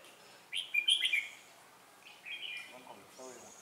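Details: Red-whiskered bulbul at a trapping site on 4 December 2016, a decoy bird singing to challenge rivals: a bright, quick warbled phrase, then a shorter second burst, followed by a man's voice speaking briefly.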